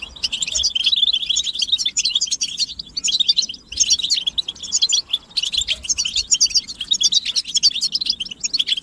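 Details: European goldfinch group chirping, said to be mating and readiness calls that make males sing; busy, high twittering phrases with rapid liquid trills, separated by a few short gaps.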